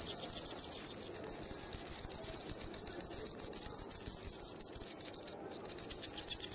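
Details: Kumiyama, Kyoto Prefecture, 3 June 2019: White wagtail nestlings two days before fledging, parents feeding; a loud, nearly unbroken high-pitched shrilling that runs for the whole stretch, with a single brief dip near the end.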